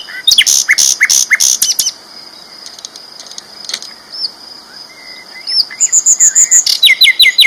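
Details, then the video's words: Champion sikatan londo flycatcher singing loudly for a training recording: a powerful run of rapid chirps, quieter scattered notes, then a fast series of high whistles and repeated down-slurred chirps. "BURUNG SIKATAN LONDO GACOR ISTIMEWA KERAS LANTANG MASTERAN"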